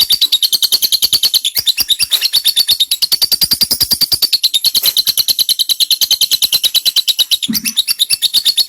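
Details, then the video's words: Lovebird giving a long 'ngekek' chattering trill, used as a tutor recording for white-rumped shama: shrill, harsh notes repeated about three times a second in an unbroken run, with one brief low thud near the end. "LOVEBIRD NGEKEK PANJANG UNTUK MASTERAN BURUNG MURAI BATU"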